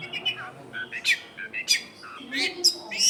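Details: Long-tailed shrike singing as a lure for wild shrikes, in a crowded residential area: a busy jumble of short varied notes, with rising whistles, dry buzzy bursts and sharp high squeaks following each other irregularly.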